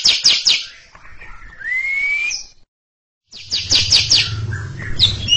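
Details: Greater green leafbird (cucak ijo) delivering ngekek chatter in front of a younger, stalled bird: fast buzzy high bursts, then a rising whistled slur, a pause, and more rapid chattering notes with low background hum.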